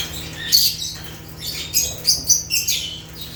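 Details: African lovebirds (Agapornis) chirping naturally, a rapid run of sharp, thin high squeaks and chatter in quick bursts over a constant low electrical hum.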